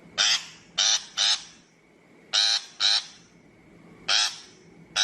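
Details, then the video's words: Shrike trapping-lure calls: harsh, rasping notes, some paired in quick succession, about seven in five seconds with an irregular pause, above a quiet steady hum. "Tiếng chim bách thanh chuẩn mp3 cho loa bẫy"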